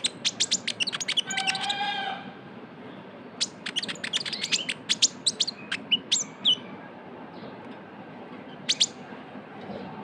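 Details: Kolibri ninja, or Van Hasselt's sunbird, in trotol lure style: about two seconds of rapid high ticking, a pause, then a looser run of sharp chips and whistles that fades to near silence with one late burst.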